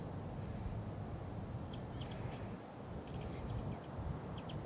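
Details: A male Broad-tailed Hummingbird perched on his territory gives very high, thin, insect-like chips and short buzzy trills in quick bursts over a low rumble of wind or background noise.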